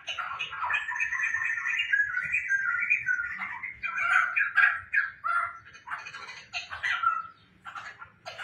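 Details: Laughingthrush kept at home, tame and in full song: a sustained warbling stream of clear notes, then choppier stuttering phrases and a brief quiet spell before a final short burst.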